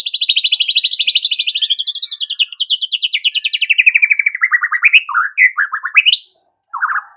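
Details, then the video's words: White-rumped shama in full song, said to provoke other shamas and soothe them in the morning: a long rapid trill of buzzy notes sliding from high to mid pitch, then short clipped phrases and a final burst after a brief pause. "MURAI BATU GACOR || MURAI ANDA LANGSUNG EMOSI"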